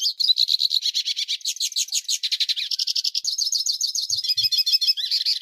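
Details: A hooded siskin sings a metallic song used for teaching other birds, from Brazil: a fast, unbroken twittering of high, tinkling metallic notes and buzzy trills. Two faint low knocks sound near the end.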